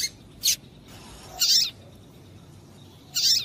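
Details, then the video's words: A female double-collared seedeater calls to stir a male into song: three high, hissy notes, one short and two longer and buzzier, separated by quiet gaps of about a second. "Piado de Fêmea de Coleiro Com Piado de Fêmea de Coleiro Quente para Esquentar Coleiro tui tui"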